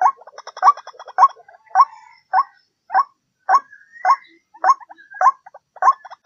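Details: Lure recording of white-breasted waterhen croaks. It opens with fast chattering and croaks together, then settles into single harsh notes repeated steadily.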